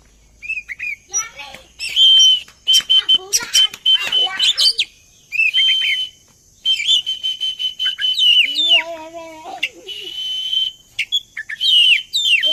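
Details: Oriental magpie-robin song used as a lure to get birds singing: dense, vigorous stream of piercing whistles, rapid chattering trills and scratchy notes, with a brief lower, harsher phrase midway.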